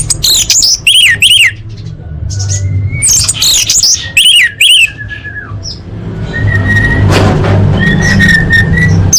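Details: Orange-headed thrush song for training caged birds: a lively stretch of loud, rapid, trilled and buzzy phrases, then softer drawn-out whistles over a growing low rumble of background noise.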